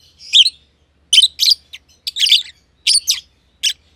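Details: Pair of personata lovebirds, one green and one green pied, in an aviary giving harsh high chirps, about eight bursts in four seconds, over a faint low hum.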